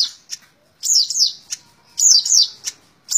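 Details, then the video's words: Long-tailed shrike singing nonstop: high, squeaky chattering bursts mixed with short sharp notes, the bursts coming about once a second. "Burung cendet tembak ngebren"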